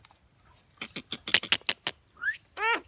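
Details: Common myna from a talking competition between new and old birds: a sharp series of about eight dry clicks, then a short rising whistle and a nasal, harmonic squawk.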